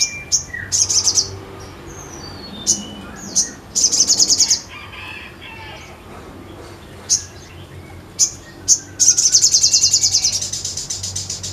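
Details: Sogon singing in full, active voice (gacor): repeated sharp high chips and short buzzy trills, quieter twittering in between, and a long rapid trill at the end.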